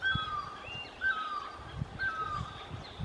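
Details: Orange-headed thrush at Sattal giving clear whistled phrases that slide downward, repeated about once a second, over steady background noise and low thumps.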